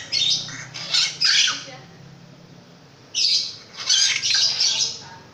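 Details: Vigorous long-tailed shrike song: two clusters of loud, rasping, scratchy notes separated by a quieter gap of about one and a half seconds.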